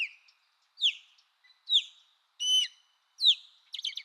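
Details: American osprey gives loud whistled calls that slur downward, roughly every 0.8 seconds. One call is a harsher, buzzier note, and the sequence ends with a quick cluster of chirps.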